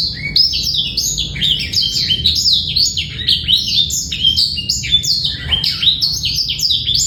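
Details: Male black-throated canary song, a clear master recording for teaching young birds to sing and bringing females into breeding condition, free of rattling trills: fast continuous twittering of high chirps and downward-sweeping whistles, run together without pause.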